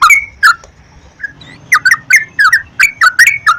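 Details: Sooty-headed bulbul song to encourage singing: a few spaced whistled chirps, then a quick run of liquid notes about three per second, over faint low background hum.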